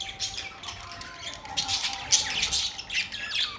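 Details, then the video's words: Budgerigars chirping, relaxed: dense, overlapping high scratchy chatter and squawky notes, several birds calling at once in bursts, louder around the middle, with a faint steady low hum beneath. "Beautiful parrot sound | budgies relaxing sound"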